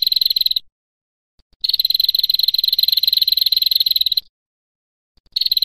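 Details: A female red-headed prinia gives long, rapid, dry ticking trills, high and even in pitch, bursts of one to two and a half seconds with short silent gaps, recorded as a training recording for other prinias.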